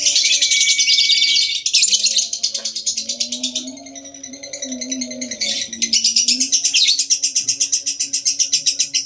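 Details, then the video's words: Lovebird ngekek, a long trilling song used as a lure to make other lovebirds sing: high, rapid, buzzy pulsed chatter running in long bursts, with a brief dip midway, over a low steady tonal hum. "PANCINGAN LOVEBIRD NGEKEK"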